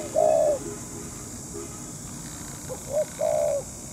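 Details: Spotted dove used to lure wild doves while trapping. A long, smooth croon is followed by a pause, then a short coo and another drawn-out mellow note.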